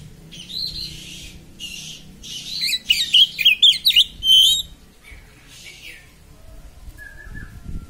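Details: Oriental magpie-robin 'konslet' song with a sharp voice, used to provoke other magpie-robins: a few rasping buzzy notes, then a short, loud burst of high twisting whistles, followed by quiet with a faint distant trill.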